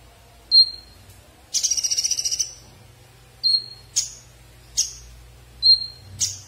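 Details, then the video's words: Konin songbird giving thin high whistled notes that alternate with a dry rattling trill of rapid pulses and short sharp chips, spaced about a second apart, over a low steady hum. "SUARA KONIN SUPER JOSS"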